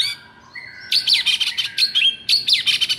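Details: White-rumped shama singing excitedly to encourage silent birds: a rising whistle followed by dense bursts of rapid high chattering notes.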